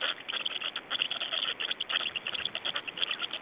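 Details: Black storks in Estonia, feeding and change-over on 25 May 2012 at about 17:03: a loud, urgent stream of gritty, clicking-rasping calls repeated very quickly, dense and steady for the short stretch.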